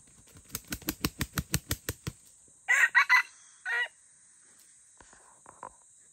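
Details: Red junglefowl in the forest: about twelve rapid, evenly spaced wing-flap thumps, then a hoarse three-part crow and a short final note, with faint clicks afterwards.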